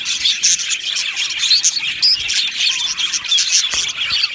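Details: Budgerigar colony in an aviary, singing and chirping: a thick chorus of high chirps with distinct short whistled notes, some rising or sliding, standing out above the chatter.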